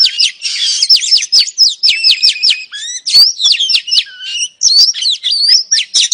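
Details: Female oriental magpie-robin calling to entice a male: rapid series of sharp descending whistles repeated in quick succession, scratchy twitters, a lower whistle, then lively mixed phrases.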